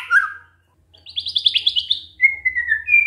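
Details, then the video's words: White-rumped shama in canary-imitation song: a short warble, then a fast buzzy trill of about ten rising notes, followed by a thin steady whistle with a faint low hum behind. "murai batu bongkar isian KENARI"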